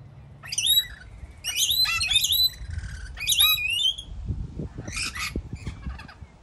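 Rainbow lorikeets give harsh, high screeching chatter in three quick bursts, then softer rasping squawks, with low rumbling background noise.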